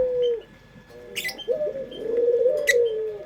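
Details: Puter pelung dove, a locally kept pet breed, sounds a lure song: a fading drawn coo, a short pause, then a rising burred note swelling into a long, slightly wavering coo. Faint high chirps sound behind it.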